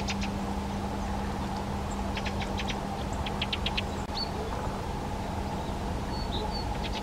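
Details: Fieldfare chattering: grating chack notes in short groups, one at the start and two rapid runs of three to four notes mid-way, with faint high whistles and a low steady hum.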